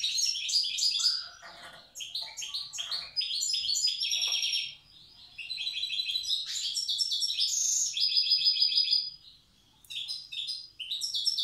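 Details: Wild European goldfinch from Tiaret singing in the old song style: long bright twittering runs of quick, tinkling and buzzy high notes, broken by two short pauses, with quiet background.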